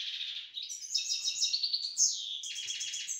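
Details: Caged grey-headed goldfinch kept as a pet in the town of Istaravshan delivers a brief run of dense twittering, buzzy trilled phrases punctuated by a sharp high whistle.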